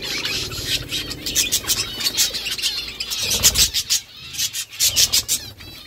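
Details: Pet budgies chirping while eating: a busy stream of high, scratchy chirps and warbles, with quick repeated notes and short pauses, over light low background noise.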